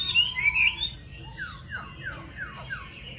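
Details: A caged, yellow-billed Chinese hwamei sings a bright, warbled opening phrase, then a quick run of about five clear whistles, each slurring downward.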